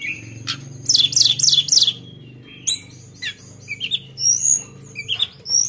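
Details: Sunda bush warbler song of varied sharp phrases: a rapid buzzy trill of four quick notes, then scattered squeaks and upslurred whistles, over a low indoor hum.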